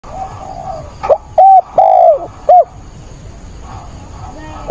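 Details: Caged decoy spotted dove cooing during a rainstorm on 28 October, used to provoke wild doves: one loud three-part phrase of a short hollow note, a long drawn coo, then a clipped final note, over faint steady hiss.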